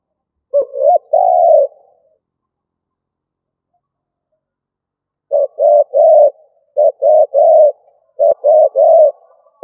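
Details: Spotted dove decoy bird giving stuttering 'cà lăm' style coos: a short phrase, a pause of about three seconds, then quick bursts of low, hollow coos in clusters of two or three notes with brief gaps.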